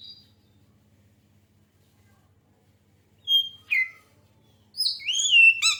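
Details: Magpie-robin song used as a lure for other songbirds: long quiet gaps broken by a short whistle, two sharp falling notes, then a brief rich run of looping whistles.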